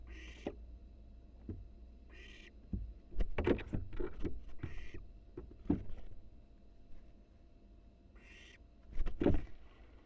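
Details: Wild barn owl nestling in a nest box on a live cam, exercising its wings; several short, harsh hissing screeches of about half a second break through a busy stretch of dull thumps and scratching from its flapping.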